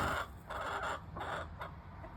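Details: Backyard hens roaming out front, producing a quick run of four or five short, harsh clucking bursts about a quarter-second apart over background hiss.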